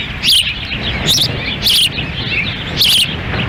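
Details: At a nest in Lolo, Montana, on a windy June 10, 2017, ospreys during a chick feeding by the female; four loud, shrill piping whistles roughly every three-quarters of a second, wind roaring behind.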